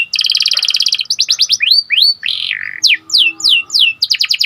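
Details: Energetic Panda canary singing to stimulate other canaries: a rapid double-toned trill, then swooping rising and falling whistled notes and a buzzy wavering phrase, ending in another fast trill.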